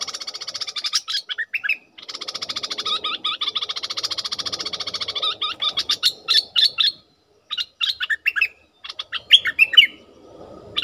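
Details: Bulbul used as a decoy for wild birds, alternating long, fast, buzzy rattles with bursts of sharp, slurred whistled notes, several pauses between bouts, faint low rustling underneath.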